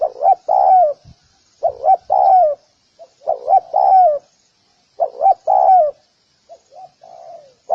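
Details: Spotted dove giving repeated soft cooing phrases: quick paired coos run into a longer, falling coo. Four clear phrases come about every one and a half seconds, followed by a faint, trailing coo.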